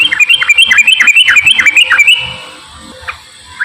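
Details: Straw-headed bulbul belting out a fast, rolling 'gacor ropel' warble for about two seconds, a lure for reluctant bulbuls; rich liquid phrases repeated in quick succession, followed by silence broken by two brief whistled notes.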